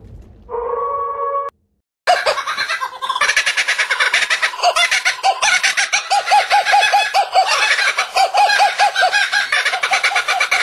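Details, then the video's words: Kookaburra gives a loud cackling laugh: a brief tonal sound and a short break, then fast, rolling, chuckling notes rising into a sustained raucous chorus. "Canto da kookaburra"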